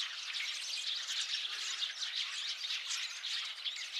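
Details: Massed chirping from a flock of Eurasian tree sparrows on 8 February 2024, countless sharp, high twitters blending into one unbroken, busy wall of chatter with no pauses.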